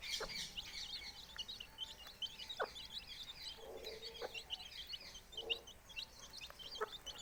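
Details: Several four-day-old chicks with a brooding hen, giving a continuous stream of high, piping peeps, along with occasional low murmurs and soft clicks.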